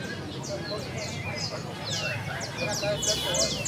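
A canary sings quick, high chirps and short downward-sweeping notes, about four a second, over a low background hum that may hold faint voices.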